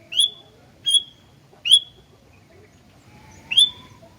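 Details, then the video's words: Sooty-headed bulbul (gentilang) in lively song: four sharp, clear whistled notes, each starting high and settling into a short level tail, spaced unevenly with pauses of about a second between them. "Burung Gentilang Gacor"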